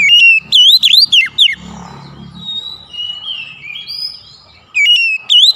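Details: Used as a lure for a bird that will not sing, an oriental magpie-robin gives bursts of rich rising and falling whistles, then softer drawn-out notes in a quieter middle, before loud whistling resumes.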